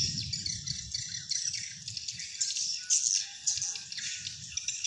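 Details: A swiftlet-house sound used to attract wild swiftlets: dense, continuous, high-pitched twittering with rapid buzzy chirps and no pauses, over a faint low rumble.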